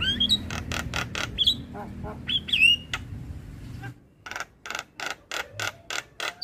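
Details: Javan myna song for training other mynas: twisting whistles mixed with harsh chatter, then a run of evenly spaced dry rasping pulses after a short gap.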